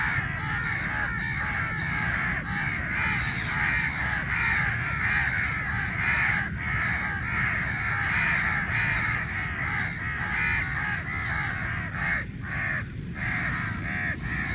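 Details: A crowd of crows fighting over meat; a dense, continuous chorus of overlapping harsh caws from many birds, with barely a pause, lasting the whole stretch.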